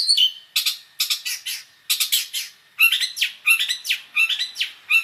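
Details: Long-tailed shrike song full of mixed imitation phrases, for tutoring songbirds. Harsh squawky bursts with a thin sustained whistle, then quick downslurred notes in irregular clusters.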